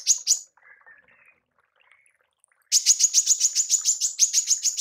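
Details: Female manggar giving a 'tembakan' call for mastering songbirds: a few sharp high chirps, a pause with faint softer notes, then a fast run of buzzy, even chirps, about three to four per second.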